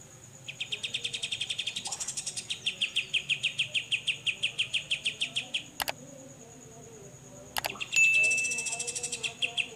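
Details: A grey-cheeked bulbul sings in besetan style, a clear and rapid repeated song, with a long string of bright, quick chips. Two sharp clicks interrupt it midway, then the chipping resumes with a brief whistle-like note. A faint steady high hum continues.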